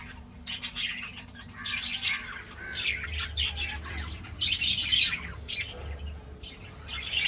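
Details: Budgerigars in a 2026 breeding setup give harsh squawks and scratchy chirps in scattered bursts, with quieter gaps and a steady low hum behind.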